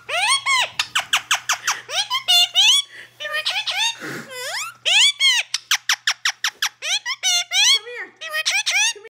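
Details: Talkative Indian ringneck parakeet kept indoors in Nova Scotia, Canada, chattering a rapid run of squeaky, speech-like syllables with rising and falling pitch, a short breathy rasp near the middle, then more quick clipped phrases.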